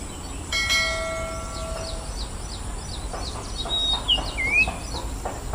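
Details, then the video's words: A common iora (Aegithina tiphia) gives a high drawn whistle that drops sharply into a lower note, with quick, repeated down-slurred chips throughout and a ringing, bell-like tone at the start. "Common Iora A Forest Dweller with Distinctive Calls"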